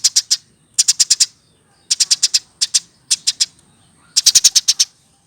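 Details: Hand-fed caged Eurasian tree sparrow over one year old, chirping in short clusters of three to six quick high notes with brief gaps between groups.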